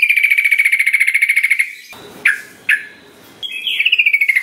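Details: Lure song of a sooty-headed bulbul, played to get reluctant birds singing along. A long rapid trill of bright notes at steady pitch, two clipped downward notes, then a falling trill.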